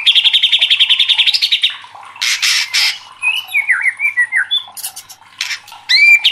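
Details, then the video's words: White-rumped shama in agitated competitive song: a rapid buzzing rattle of even notes, harsh noisy bursts, then sliding whistled notes and sharp chips. "DIJAMIN MURAI LANGSUNG KOAR-KOAR TERSULUT EM0SI | murai batu gacor"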